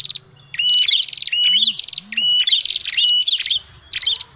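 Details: Prinia, called red-headed prenjak, as a lure call: repeated noisy phrases, each a flat whistled note running into a buzzy rattling trill, several in quick succession.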